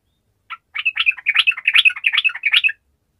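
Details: Sooty-headed bulbul singing in full 'gacor' form, used to prompt lazy bulbuls: one lead note, then a fast, bubbly, warbled chatter of mixed high notes repeated about two and a half per second for two seconds.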